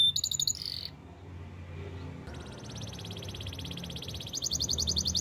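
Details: Canary singing in the wild: a short high burst, a near-silent pause, then a long rapid pulsing high trill that grows louder toward the end over low background noise.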